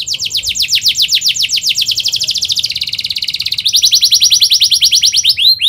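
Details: Canary singing a fast, dense rolling song meant as a lure for young birds: rapid descending notes repeated about two and a half per second, shifting into a tight buzzy trill, then brighter sweeping notes.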